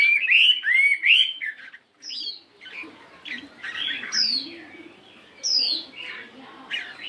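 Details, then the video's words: Chinese hwamei, a 72-gram fighting bird, in morning singing practice: three looping whistled notes open, then scattered high downslurred whistles over a faint background hiss. "Tiếng Chim Hoạ Mi Chiến 72gam Hót Đảo Giọng Rất Hay"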